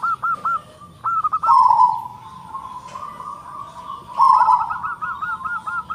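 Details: Local zebra dove with a strong voice and dense song: quick staccato hooked coos, then a long wavering rolling note, then a fast run of looping notes. The background is quiet.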